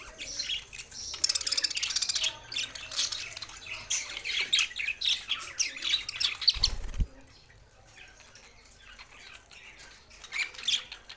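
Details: Budgerigars singing: dense, rapid warbling chatter of high buzzy chirps and squeaks for about seven seconds, broken by a low thump, then a quieter stretch before the chirping returns near the end.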